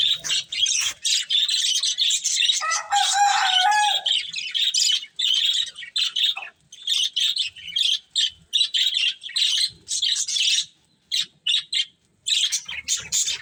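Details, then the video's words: Breeding pair of pet budgerigars squawking and chattering in high scratchy bursts, with one longer run of clearer whistled notes early on and short silent gaps toward the end. "Cute Budgies Chirping Sounds"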